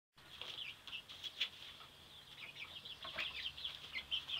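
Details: Seven-week-old chickens recently moved outdoors, a flock giving a steady stream of high, thin peeping and chirping calls that overlap and rise and fall irregularly, with soft rustling beneath.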